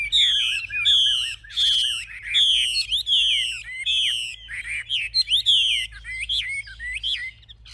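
A Chinese Hwamei sings loud, rich whistled phrases of repeated slurred notes, high and ringing, bursting out about once a second, over a faint low hum.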